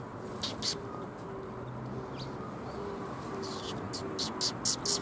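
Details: Sparrows coming to be fed at a Tenmangu shrine on 27 February 2021: brief, bright chirps scattered through the clip and bunched toward the end, over steady low background rumble.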